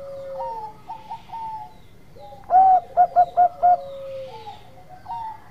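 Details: Bangkok zebra dove in full lively lure song that sets other doves calling at once: soft rising coos, then four loud rapid clipped notes and a held mellow coo, with softer distant cooing before and after.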